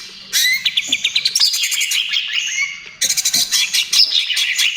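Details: Cucak ijo, or greater green leafbird, trotol gacor song used as therapy for other birds: quick staccato chips and buzzy trills with a few clear whistles, cut sharply midway into a fresh rapid phrase.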